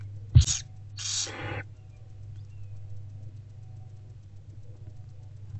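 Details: Barn owlets in a nest box being fed by their mother at about 11 am on 15 February 2024: a sharp knock, then two rough hissing bursts close together, followed by quiet hum.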